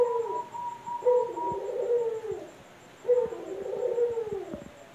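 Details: Male Barbary dove let loose indoors, calling with two low, purring coos about two seconds apart, each rising briefly then sagging, with faint taps in the background.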